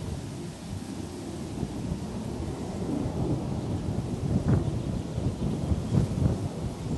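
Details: Steady rain with deep rolling thunder rumbling throughout; no animal voices are heard.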